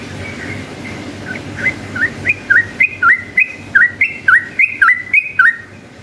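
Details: Yellow-vented bulbul singing to provoke rival bulbuls into answering: a fast run of about a dozen bright, liquid whistled notes, each a short looping twist, delivered about twice per second over a low steady hum.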